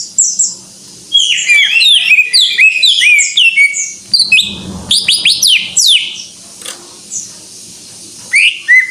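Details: Cucak ijo, the greater green leafbird, in vigorous gacor singing: dense, rapid tumbling whistles and sharp downslurred notes over several seconds, a short buzzy scratchy burst midway, then scattered high chips.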